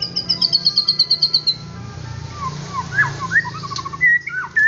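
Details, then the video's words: White-rumped shama singing a high, fast series of repeated notes, then a pause and varied lower whistles, slurred phrases and short trills; low hum underneath. "Murai Batu Akan Emosi dan Cepat Gacor"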